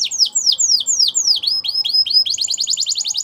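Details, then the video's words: Canary singing a run of slower, clear down-slurred whistles that speed into a rapid series of short high chirps. "Your Canary Is Quiet ? Will Sing Again After Listening To This"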